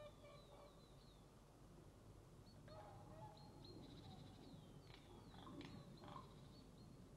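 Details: Whooper swans fly over a feeding area where ravens are eating, 27 February 2012, giving faint, bugling honks, several overlapping calls from the flock, above a steady low rumble of wind or distant traffic.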